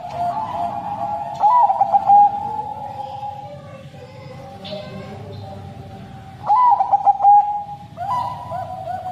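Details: Caged Bangkok crossbred zebra dove in a long 'sad voice' song, kept to coax other doves into singing: two bursts of soft stuttering coos with quick trilled notes, over a steady low humming drone.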